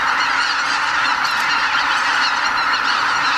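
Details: Greater white-fronted geese by the tens of thousands lifting off from Lake Miyajimanuma in Bibai, Hokkaido, Japan, before dawn in spring, heading to feed on nearby farmland; unbroken massed honking, loud and even throughout.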